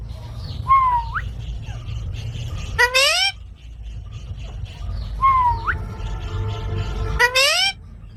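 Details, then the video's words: Parrot repeating the same phrase twice: a bent whistle rising at its end, then a loud, rich harmonic squawk that climbs upward. A low rumble runs beneath. "Funny Parrot Sound Videos | Parrot Sounds Videos Compilation"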